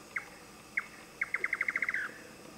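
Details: Indian nightjar in Thailand: two spaced, knocking 'chuk' notes, then a quickening run of about ten that ends in a brief bubbling flourish. Faint background hiss.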